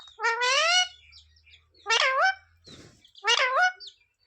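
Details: Parrot saying words like "sita-ram" and "jay shree ram": three raspy, harmonic phrases spaced about 1.4 seconds apart, with a low hum and a brief rustle between them.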